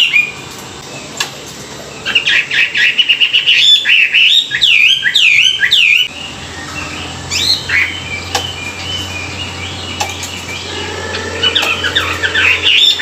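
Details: Morning song of a Chinese hwamei in training, wild-caught kept bird: bursts of rich looping whistles and quick slurred notes, a pause, then softer scattered phrases with a low steady hum beneath.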